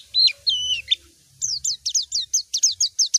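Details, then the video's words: White-eye calling a rival: a few long wavering whistled notes open, then a fast run of sharp downslurred chirps repeated several times a second, clean recording. "Masteran suara burung PLECI MANGGIL LAWAN"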